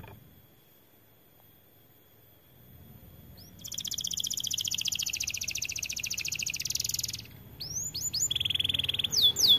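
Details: Singing AF canary, white in colour: quiet at first, then a sudden long, dense, high buzzing trill lasting several seconds, followed by sweeping whistled notes and a short rattle.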